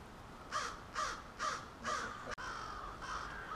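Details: Four loud, evenly spaced caws ring out from one nearby crow, about two per second, as a crowd of crows gathers to roost at night in suburban Halifax, Nova Scotia. Fainter calls follow after a brief click.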